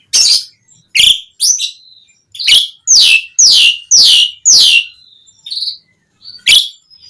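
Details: Asian pied starling calling to lure other starlings to reply: a series of sharp, noisy, downslurred chirps spaced roughly half a second to a second apart, with a couple of brief thin whistles between.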